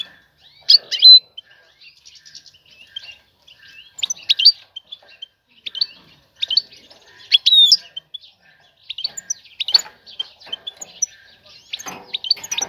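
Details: Female European goldfinch, ready to breed, calling to attract a male for mating and nest building: scattered bright chirps and short twittering bursts, louder clusters around one, four, seven and ten seconds, with faint quieter notes between.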